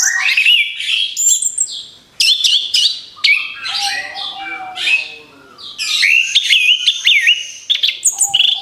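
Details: Orange-headed thrush song for luring other birds: loud, varied phrases of squeaky slurs, chirps and sweeping whistles, with two short quiet gaps.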